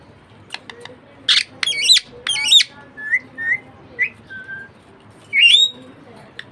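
Budgerigar chatter: a string of short, rasping, warbled notes with quick whistled slurs and a few sharp clicks over about six seconds.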